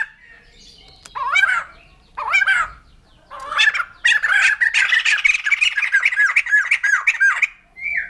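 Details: After a few spaced harsh squawks, a white-crested laughingthrush breaks into a sustained, fast laughing chatter of dipping notes that ends with a short whistled note.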